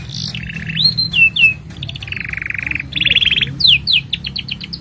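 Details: Singing canary performing a training song for young birds: sliding whistled notes, a sustained buzzy rattle, then a bright trill and quick descending chirps, over a low steady hum.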